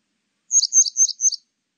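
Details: Grey wagtail from a 2020 national biological resources recording: four quick high, sharp chirps in a tight burst lasting under a second, clean with no background sound.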